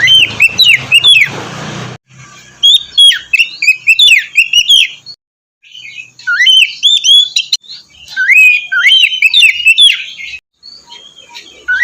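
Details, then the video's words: White-rumped shama song used as morning therapy to coax a reluctant bird into singing: rich bursts of whistles, trills and rapid chatter in loud phrases separated by short silences, varied and high-pitched. "terapi pagi cocok untuk mancing kacer malas bunyi agar cepat gacor"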